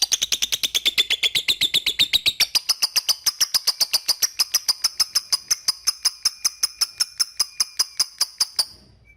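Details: Lovebird ngetik calls, played to call a rival so the bird sings ngekek diligently: a steady series of crisp, high-pitched ticks, roughly two and a half per second, held for about nine seconds, with no other sounds.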